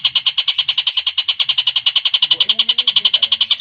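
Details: Javan kingfisher singing hard in a fast, tight rattle, as tutor audio for competition birds. Evenly spaced high chattering notes repeat quickly, with a soft low murmur and a faint sliding tone near the end.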